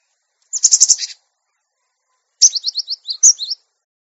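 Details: Cinereous tit used as a master recording for caged birds: a short harsh buzzing rattle, a pause, then a quick run of high chirping notes dropping slightly in pitch.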